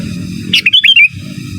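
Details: One short phrase from a sooty-headed bulbul used as master song: a sharp note followed by quick looping whistles that rise and fall, lasting about half a second, over low hum.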